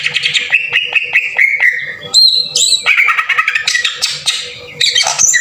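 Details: Green leafbird 'tembakan kasar' lure song: a string of about six repeated whistled notes, then abrupt very high squeaky phrases, followed by noisy harsh chatter and rapid high twitters.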